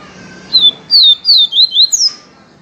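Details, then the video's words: Viviti-style song of a yellow-breasted seedeater, a quick run of about six loud whistled slurs, some dropping, some rising, closing with a high falling whistle, over a quiet low hum. "papacapim PEITO AMARELO canto viviti PURO"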